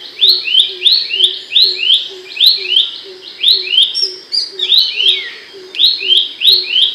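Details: Abbott's babbler in loud, sharp voice, used to train songbirds. Rapid upslurred whistles in steady sequence, a brief scratchy twist near the middle, over a regular low pulsing note.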